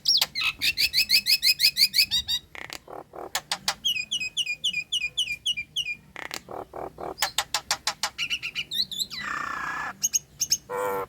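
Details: A female Nias hill myna in breeding condition gives a fast, varied run of loud whistles, sharp chattering notes and rattling phrases, several each second, with a harsh rasping burst near the end.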